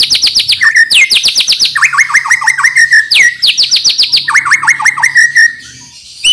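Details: White-rumped shama in full song, aimed at stirring young birds to sing: high sweeping whistles alternate with rapid falling lower notes in repeated phrases, fading to near quiet at the end.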